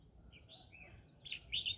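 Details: Green-cheeked conure living in a rice field, with soft twittering notes that build to two louder, squeaky chirps at the end, against a quiet low hum.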